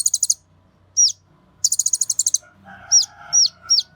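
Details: Excited song of a Kolibri Ninja sunbird, used to provoke other birds into singing: a rapid high trill, a down-slurred whistle, a longer trill, then three hooked whistles, with a faint murmur behind.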